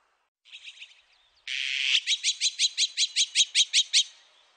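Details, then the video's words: Azure-winged magpie, 2020 National Institute of Biological Resources recording: a short quiet chatter, then a loud buzzy rasp breaking into a long, even series of about twelve harsh repeated notes, roughly three per second. "물까치, 여러번 듣기, 곤충소리, 새소리"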